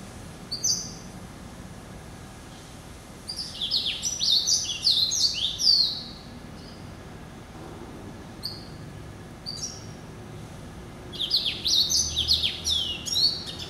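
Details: Caged male hybrid finch, a Yellow-eyed canary crossed with a Timbrado, hatched November 2012 and kept since late January 2013, sings bursts of rapid, high, twittering and trilled notes in three main phrases separated by short pauses, over faint low background noise.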